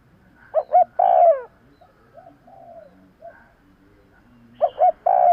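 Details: Spotted dove used as a lure to draw birds in: a double short coo and long falling coo, then softer distant coos, and the phrase starting again near the end.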